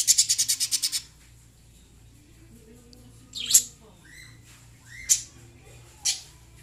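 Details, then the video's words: A lovebird opens with a fast rattling string of high chirps, then gives single sharp rising squeaks and softer whistled notes spaced a second or so apart against a faint hum. "Love birds singing and chirping sounds"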